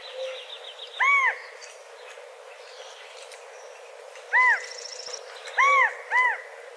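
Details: Four arched, ringing calls from a California quail come in a loose series, the last three close together, over a quiet natural background with faint chirping from other birds.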